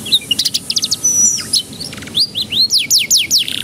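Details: Canary lure song to encourage young canaries to begin singing: clipped repeated chips and a short flat whistle, then bold rising and falling slurred whistles ending in a quick trill.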